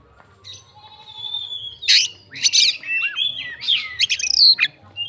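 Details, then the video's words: Fighter Oriental magpie-robin with a song full of fill-in phrases to provoke rivals: a thin, quiet whistle opens, then loud harsh bursts and looping, swooping whistled notes. "BUNYI BURUNG KACER FIGTER, FULL ISIAN KACER LAIN LANGSUNG ON"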